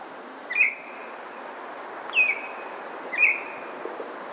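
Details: Baltimore oriole singing in a neighborhood in Maynard, Massachusetts, on May 9, giving clear, flutelike whistled notes, each a quick bright slur, about one per second.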